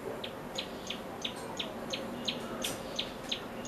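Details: Common tailorbird calling: a sharp, high chirped note repeated steadily about three times a second, each note brief and clipped, with faint background hiss.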